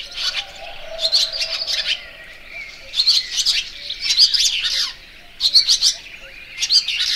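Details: Barn swallow song of short, bright chirp bursts repeated roughly every one to one and a half seconds, high-pitched and sharp, over a faint low hum.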